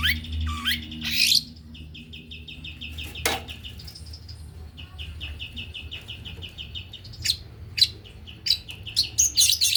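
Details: Male white-rumped shama in the fast, dense 'pentet speed rapat' style: loud rough bursts and a dipping whistle, then long, even trills of rapid high notes, and a closing run of sharp, loud chips.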